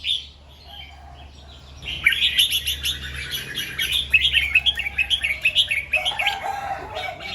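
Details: Red-whiskered bulbul in the morning, singing doubled 2-3 and 'rik' phrases: after two quiet seconds, a dense, rapid chatter of short whistled notes rolls on steadily to the end, with a faint low hum beneath.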